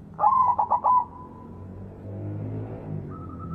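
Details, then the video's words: White zebra dove, strong and frequent singer, played as a lure to make other doves sing: one phrase of four quick stuttered coos running into a sustained note, then low rumbling background noise and a faint steady tone. "PERKUTUT PUTIH GACOR SUARA BESAR"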